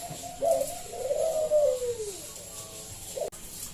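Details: Local zebra dove used as a lure to prompt other doves to sing: soft, low, drawn-out descending coos with a short gap, then a sharp click.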